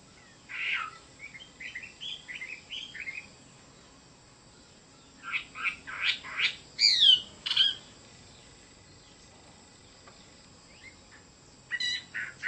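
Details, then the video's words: Chinese hwamei song: scattered bursts of loud, varied whistled and slurred notes in clusters, with quiet pauses between phrases. "Chim họa mi đẹp và hót rất hay"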